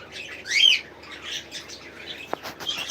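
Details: Budgerigars in a garden aviary chatter with a steady stream of high warbled chirps, one louder rising-and-falling squeak near the start, and a sharp click partway through.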